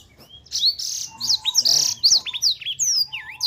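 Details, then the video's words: Black-throated canary (blackthroat) singing 'super gacor', nonstop and energetic: a rapid jumble of high, sweeping whistles and buzzy trills, with down-slurred and up-slurred notes tumbling one after another with barely a pause. "Blackthroat Super Gacor"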